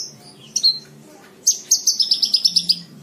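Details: Javan bush lark singing for cage-bird tutoring: a couple of isolated high notes, then a fast, even series of about ten sharp repeated chips forming a trill.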